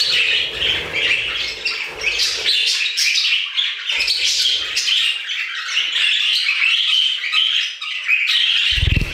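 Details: Budgies singing in an aviary, a constant busy chorus of chattering warbles and squeaks, with low rumbling noise at the start and a thud at the end.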